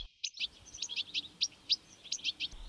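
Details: European goldfinch song: a quick, tinkling run of bright, slightly metallic twittering strophes with its liquid 'tickelit' call always woven in, high-pitched and steady, no other sounds.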